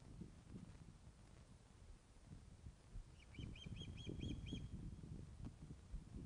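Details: During a fish delivery at the Loch of the Lowes Osprey nest, Scotland, 21 August 2012 at 16:35, webcam audio: one brisk series of about six clipped, whistled chirps against rumbling low-frequency noise.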